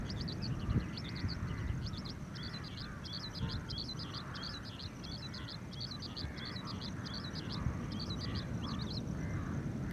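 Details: An Oriental skylark, calling for a very long time at Kumbla-Shiriya estuary, Kasaragod, in January 2021, pours out a long, unbroken stream of rapid, high, twittering notes over a steady low rumble of wind.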